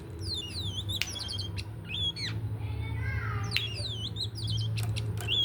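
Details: Oriental magpie-robin about to bathe, giving quick whistled phrases mixed with harsh squawky notes and one buzzy, descending rasp midway, against a constant low droning hum.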